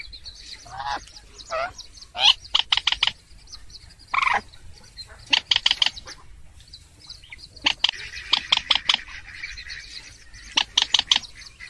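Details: Purple swamphen uttering the 'trích ré' lure call: drawn-out wailing shrieks, then many fast bursts of three to five harsh, clipped squawks, with a rasping chatter in between.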